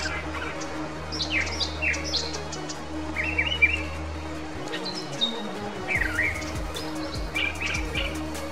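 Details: Brown Thrasher singing during spring migration at Long Point, a bird said to have the largest song repertoire of any bird; short varied chirped and slurred phrases, some rising, others falling, with background music and a steady low hum throughout.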